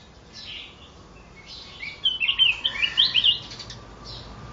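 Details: A wild red-whiskered bulbul from the mountain forest, caught one day earlier, gives a few softer notes, then a burst of bright, liquid warbled phrases, quick and varied in pitch, over faint background hiss.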